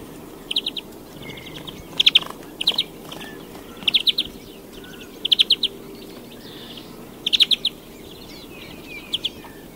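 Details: Rapid, rattling twitter phrases from a European greenfinch, repeated about every one to two seconds, with fainter chirps in between and constant outdoor background noise.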